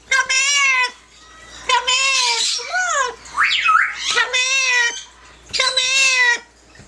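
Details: Yellow-naped amazon, a pet parrot singing and talking, repeats long, steady, strongly harmonic squawk-like notes about every one and a half seconds, with a quick zigzag whistled sweep in between.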